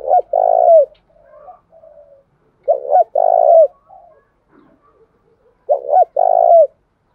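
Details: Spotted dove cooing in the field-voice style to lure wild doves and stir them to fight. Three phrases, each a double coo followed by a long, slightly falling coo, with quiet murmured notes in the gaps.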